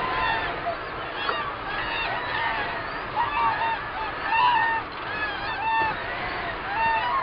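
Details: Common cranes calling at Gallocanta, captured from a hide with a Nikon D300s on 2 February 2013. Dense overlapping trumpet-like calls repeat rapidly, with swelling loud bursts over a steady background chorus of many birds.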